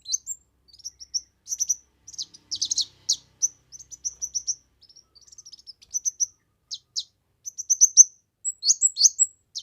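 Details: Kemade in busy, energetic song, recorded for training and luring other birds: near-continuous high, thin chirps and twitters in loose clusters, including one harsh rasping burst, building into dense slurred notes at the end.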